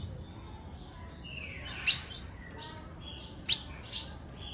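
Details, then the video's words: Female ultramarine grosbeak with sparse, sharp, high chips, two loud and one softer, separated by pauses of over a second, with faint thin tones between them; a call meant to stir males. "Seu AZULÃO vai ficar LOUCO - Piado de FÊMEA pra FOGUEAR seu azulão."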